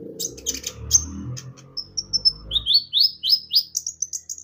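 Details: Javan white-eye lure song meant to prompt other birds to sing: high thin whistled notes, then a run of quick rising chirps repeated roughly every third of a second, with low murmuring background at first.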